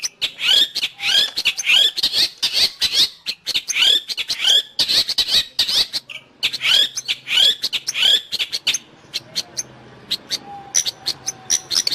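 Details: Long-tailed shrike song used to train pet birds or attract wild ones: rapid, repeated looping whistles and scratchy notes for about nine seconds, then sparse high chips over faint background hiss.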